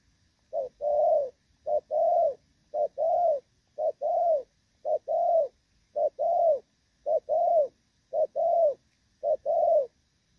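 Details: Thổ Pha spotted dove in moult, recorded 3/6/2024, keeps up a very regular rước and gù series. Ten two-part phrases, each a brief note and then a drawn-out coo, repeat about once a second.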